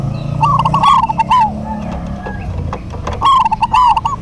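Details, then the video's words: Local zebra doves duetting: tumbling, trilled coo phrases at the start and again near the end, separated by a quieter stretch with faint low noise. "DUET PERKUTUT LOKAL GACOR PALING RAME PASTI SEMUA NYAUT"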